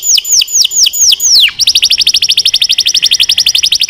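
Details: Singing canary: five or six ringing downward-swept whistles, then a rapid, even, high chattering trill of short repeated notes, about eight a second.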